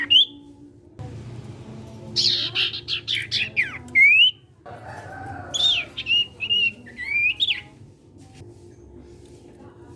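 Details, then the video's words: Sirtu (ashy tailorbird) of the cipow type in full song to prompt other sirtu birds gives rapid buzzy high notes, then rising whistles and a run of warbled whistled phrases over a low hum. "SIRTU CIPOW GACOR BIKIN SIRTU BAHAN IKUT BUNYI."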